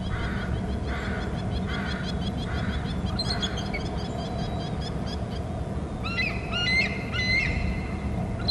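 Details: Eagle pair calling at their nest on Hornby Island, picked up by a nest and territory camera as one bird floats to the back rim. Thin, high piping chirps come in quick bursts near the end, over strong wind rumble.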